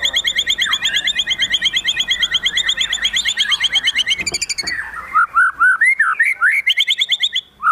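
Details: Excited white-rumped shama with fill-in phrases: a dense run of quick repeated bright notes stacked in layers, breaking into loud looping whistled slurs toward the end.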